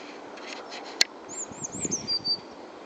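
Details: Blue tit singing at Uppsala Botanic Garden: a few very high, thin sliding notes followed by a short, flat, rapid trill slightly lower in pitch. A sharp click comes earlier, over a low background rumble.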